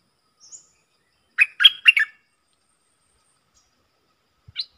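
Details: Stripe-throated bulbul uttering a short cluster of four rapid chirping whistles, bracketed by a faint thin high note before and a single sharp note after, otherwise quiet.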